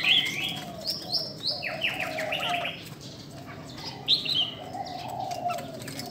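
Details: Female Chinese hwamei arousing males, giving scattered high whistled notes and a quick run of descending slurs, with a steady lower warble and faint chirps around it.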